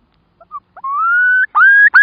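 A curlew gives a few short notes, then three rich whistles that slide upward, the longest drawn out for over half a second.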